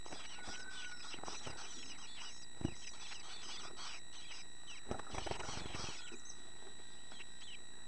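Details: Young chickadees, now starting to look like the adults, give a steady chatter of thin, high, overlapping, repeated chirps, with a low rumble and a few soft thumps underneath.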